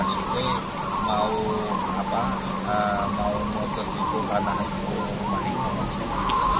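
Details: Local zebra doves (perkutut) at a hanging-cage song contest, mixed open class, for the Sleman Regent's Cup, giving soft, mellow, staccato cooing phrases that overlap in a busy chorus over a steady low hum and crowd noise.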